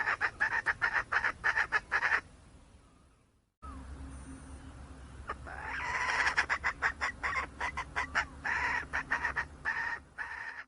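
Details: Wild hen junglefowl calling in a burst of rapid, harsh clucking pulses, several per second, which stops abruptly, falls silent for a moment and then resumes with a rising, rougher run of pulses.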